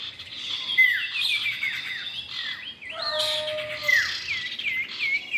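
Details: Male and female common iora for bird luring: scattered high chirps and looping whistles, with a lower steady whistled tone held for about a second mid-clip.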